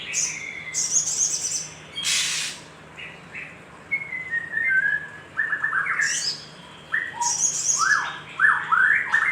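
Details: Little spiderhunter heard as a lively lure recording meant to stimulate other birds: sharp chirps, rising and falling whistled slurs and short high buzzy bursts come in irregular groups separated by pauses, over a faint steady low hum.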